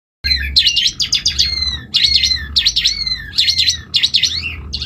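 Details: Asian pied starling in lively, full song: bursts of buzzy, chattering notes mixed with rising whistles, repeated in phrases roughly every second, with a low hum underneath.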